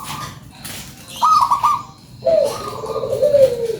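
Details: Local zebra dove singing a lure song: a quiet opening note, then a rippling, stuttered high coo phrase and a long, lower, slightly falling coo that is louder and drawn out to the end, heard indoors.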